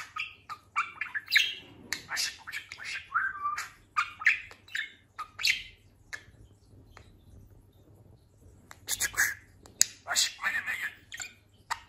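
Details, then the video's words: Pet budgerigar that talks, just through a molt and grown very fat, keeps up a long run of scratchy squeaks, warbles and clicking chatter, pausing briefly midway before resuming with loud bright notes. "Konuşan muhabbet kuşu"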